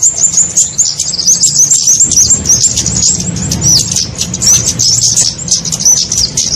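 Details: Kemade lure sound used to attract small birds for trapping: dense, continuous high twittering of thin chirps and short rising whistles, overlapping without pause, with a low hum beneath.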